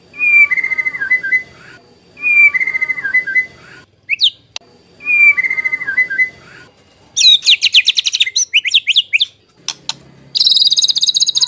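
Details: White-rumped shama song used to provoke singing and to tutor birds: the same short whistled phrase repeated three times with pauses, then dense bursts of high, rapid notes and a high rattling trill at the end.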